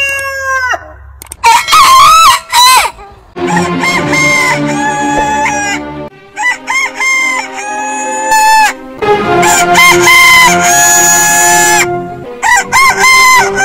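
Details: Heritage-breed roosters crowing in a compilation, with many overlapping crows, some wavering and others long and level, over a steady low droning background throughout.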